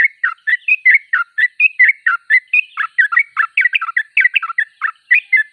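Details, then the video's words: Sooty-headed bulbul in full song, delivering a dense, continuous run of short, bubbling, chirpy notes, about one per second or faster, with no pauses. "Trucuk termewah suaranya paling di cari"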